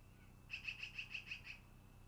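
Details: Long-eared owl nest recording, 10-08-2018 around 13:32–14:32: a rapid even run of seven sharp, high, clipped notes, about six per second, over a thin constant tone and soft hum.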